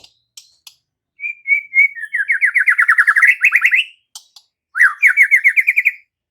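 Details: White-rumped shama, murai batu, instantly answering in full song and unloading its repertoire: scattered sharp ticks, then a long run of rapid, slightly rising whistled trill notes, a pause, and a second fast trill burst.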